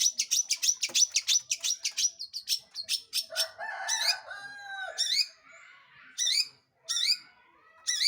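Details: Long-tailed shrike in active lure song meant to provoke other birds into singing: a fast run of sharp repeated high notes, then lower rasping phrases and spaced, steeply falling whistled notes.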